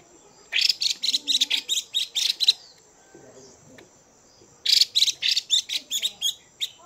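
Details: Caged hen Chinese hwamei giving stimulating calls to rouse males. Two fast strings of sharp, harsh chips, each about two seconds long, are split by a quiet gap that holds a soft low murmur.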